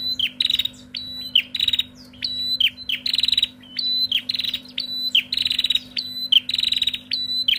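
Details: Shrill, busy calls of a female Bar-winged prinia in a noisy back-and-forth exchange: short high piping notes and quick rattling bursts repeated densely, with a low continuous hum in the background.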